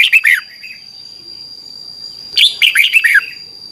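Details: Red-whiskered bulbul song used in Thailand to teach young caged birds: a short burst of three falling whistled notes, a pause, then a longer, rich phrase of five or six sliding notes, over a faint high whine.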